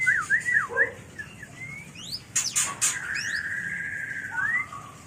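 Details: White-rumped shama mating call used for luring birds: quick looping whistled notes, sharp upward sweeps, two harsh bursts, then a long sustained whistle ending in an upslur.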